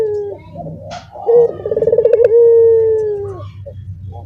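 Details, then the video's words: One caged Barbary dove delivering a dorongan coo as others in the cage chime in: faint coo fragments first, then a quick rolling burst stretching into a sustained, gently dropping hoot. "dorongan puter yang lain ikutan bunyi sekandang"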